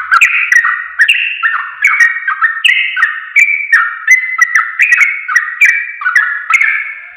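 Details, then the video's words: Yellow-vented bulbul song used as a lure for other bulbuls: a steady run of bubbly, slurred whistles, each phrase rising and falling, repeated several times a second without pause. "Masteran Burung Trucuk"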